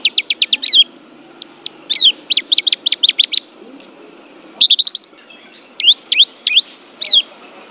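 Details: High, rapid white-eye chirps in fast trills, broken by thin level whistles and a short gap, then more downslurred and upslurred notes.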